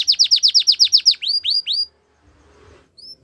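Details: Belgian canary song: about ten fast, bright downslurred whistles in quick succession, then four slower upswept notes, a pause and one final high note.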